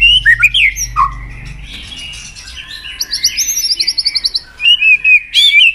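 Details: White-rumped shama song for stimulating other shamas: a few sharp whistled slurs over a low hum, a quieter stretch, then rapid high twittering and buzzy trills ending in loud whistles.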